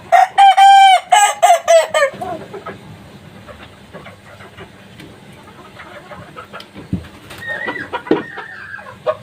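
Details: Young kukuak balenggek chicken, three months old, crowing loudly in a rapid run of harmonic, slightly wavering syllables over about two seconds, the last notes dropping lower, followed by quieter clucking and background noise.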